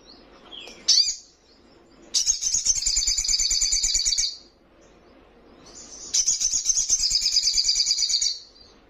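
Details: Juvenile little spiderhunter in lively song: a single sharp squeaky chirp, then two long rapid trills of high, buzzy, evenly pulsed notes, each running about two seconds.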